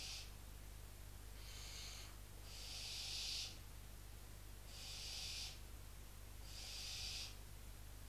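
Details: Barn owl chicks in a nest box in Cabañeros National Park hiss at an intruding owl, apparently a female, perched on the box in the resident adults' absence. Five loud, breathy snore-like hisses repeat roughly every one to one and a half seconds over a low hum.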